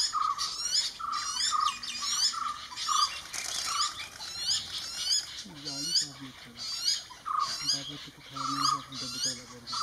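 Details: Common hawk-cuckoo chick being fed by jungle babbler hosts: repeated high, hissing squeals with slurred upward strokes roughly every second, and lower harsh, nasal chattering notes joining in midway.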